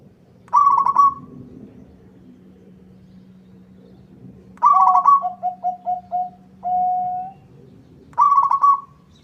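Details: Local zebra dove in lively song that draws a rival's reply: three loud trilled phrases spaced several seconds apart, the middle one followed by a row of lower short coos and a long held coo, with a steady hum beneath.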